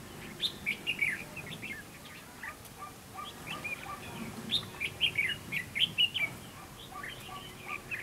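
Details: Decoy Red-whiskered bulbul singing to lure rival bulbuls into a fighting trap; energetic series of sweet, jumpy whistled phrases repeated steadily throughout, with a faint low rumble in the background.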